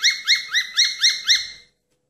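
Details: Falk bird whistling, used as a daily master song for training: six clear, ringing notes, each briefly rising then falling, repeated evenly about four times a second before stopping; nothing else is heard.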